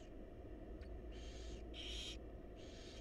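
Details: Barn owl chicks in a wild nest box begging as their mother feeds them: three breathy, harsh hissing screeches in close succession, the middle one loudest, over a low background hum.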